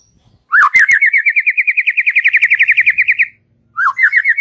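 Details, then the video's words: Relaxed chattering song of a white-rumped shama, meant to stimulate young and wild-caught young birds. A long rapid trill of over twenty rhythmic pulses opens with an upswept note, then a fresh phrase begins, with a few clicks. "Ocehan SANTAI Murai Batu COCOK untuk pancing PAUD PASTOL dan Muda HUTAN"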